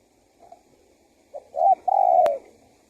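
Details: Spotted dove cooing to lure wild doves: a faint note, then a short coo and a long sustained coo with a sharp click near its end.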